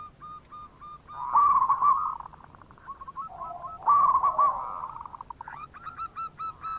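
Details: Perkutut, the local zebra dove, gives a lure call to get silent doves calling: trilled, wavering coos in two bursts separated by short clipped notes, then a run of evenly spaced pips near the end.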